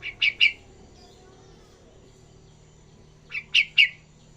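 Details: Young yellow-vented bulbul learning to sing in ngacor style repeats a rapid triplet of clear chirping notes twice, separated by a pause of nearly three seconds.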